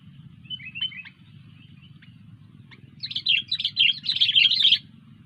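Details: Sooty-headed bulbul, gacor, singing: soft scattered chirps at first, then a loud, dense, rollicking run of chattering notes lasting almost two seconds, over a steady low background hum.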